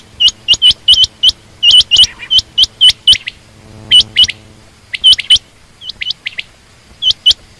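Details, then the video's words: Female quail calling busily: quick runs of sharp upswept chirps, sometimes doubled, then sparser notes toward the end over a low hum. "common quail/Rain quail sound)chinga batair ki Awaz)Звук самки перепела)صدای بلدرچین)صوت السمان"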